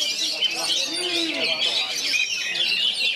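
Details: Caged oriental magpie-robin among three of its kind, delivering bagong and kerayu style song: bright, rapid whistles and twittered trills packed tightly together, other birds chattering alongside and a low voice briefly audible.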